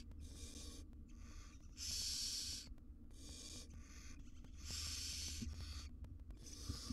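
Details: Barn owl chicks and their mother in a monitored wild nest box in Israel while she grooms them; harsh breathy screeches of about one second alternate with quieter hisses and light scratching sounds.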